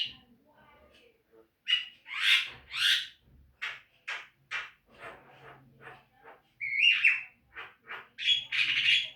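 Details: Javan myna training recording for encouraging caged birds to sing: harsh squawking bursts mixed with short rasping notes and whistled fragments, some loud and some faint, with a low hum underneath.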